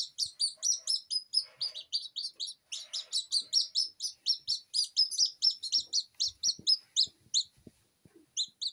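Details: Silkie Serama babies fresh from the incubator crying while being calmed by hand: continuous high, falling peeps from several chicks overlapping, with scattered rustles and soft knocks underneath.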